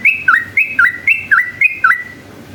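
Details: Yellow-vented bulbul singing a long ropel sequence meant as a lure for rival bulbuls. Four clear rhythmic phrases, each a bright high whistle sliding into a lower looping note, evenly spaced, then silence.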